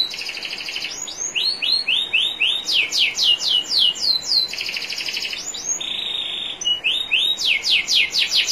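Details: National champion canary singing for a canary-training recording, trickling water in the background: varied tours of looped rising whistles, fast descending chip trills, and steady buzzy rolls, switching every second or two.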